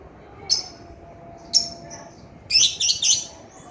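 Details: Male lovebird, a cage bird, calling with short shrill high squawks, two separate notes followed by three quick rasping bursts.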